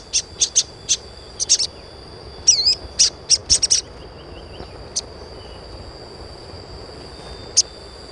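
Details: High chirping of an Asian pied starling, played to encourage young starlings to become vocal: a quick run of about a dozen sharp chirps with one wavering note, then isolated single chirps, over a continuous faint high tone.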